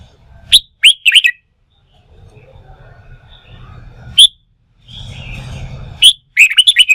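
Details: Excited wild-caught red-whiskered bulbul trained for song-fighting: loud chirpy notes open the recording, a single sharp note follows midway, then a fast burst of about six ringing chirps closes it over low rumbling background noise.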